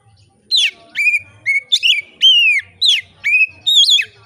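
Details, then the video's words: Oriental magpie-robin (kacer) in relaxed song meant to prompt rival magpie-robins to sing: a fast run of whistled, slurring notes, mostly falling, roughly two per second, with a quiet low hum between phrases. "kacer gacor ngeplong santai, sangat cocok memancing kacer lain bunyi dan gacor"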